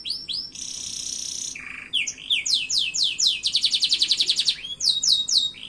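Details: Canary singing a varied song: quick upward-sweeping notes, a steady buzzy tone held about a second, a lower buzzy note, then rapid rising chirps building into a fast rhythmic trill of repeated notes.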